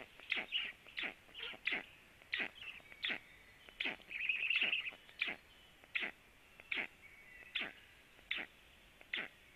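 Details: Two black storks at a nest in late morning, one landing; a rapid run of harsh, scratchy downslurred chirps about every half second, with a brief burst of denser chatter midway, against a quiet background hum.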